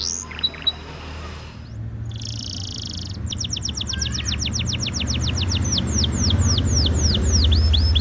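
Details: Canary singing; after a few faint notes and a quiet gap, a rapid run of downward-sweeping whistled notes repeats about four times a second, slowing into longer curved slurs, over a steady low rumble.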